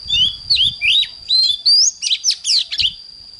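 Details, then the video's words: Morning song of an oriental magpie-robin: sweet whistled notes sliding up and down, mixed with scratchy chattering syllables in quick succession, a continuous high-pitched tone running underneath and faint low rumbling. "Chích choè than hót sáng"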